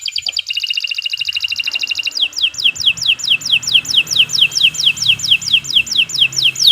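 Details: Caged-style canary song for teaching other birds, long and fast: a rapid high rattling trill shifts into a steady run of sharp descending whistled notes repeated about three per second, loud and continuous.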